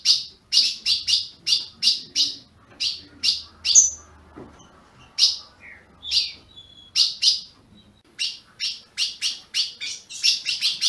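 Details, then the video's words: Ultramarine grosbeak, captive-bred in Brazil, chirping in bursts of quick bright notes with a quieter spell in the middle, one high whistle, and a faint low hum behind. "Azulão piando, 30 min. para esquentar seu azulão"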